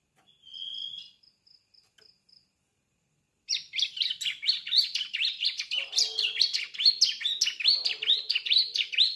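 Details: Young Sunda streaked-tit (ciblek) just beginning to learn its song, kept as a caged songbird; a thin whistle and a few soft high ticks, then a fast run of sharp, high, scratchy notes repeated rapidly for several seconds.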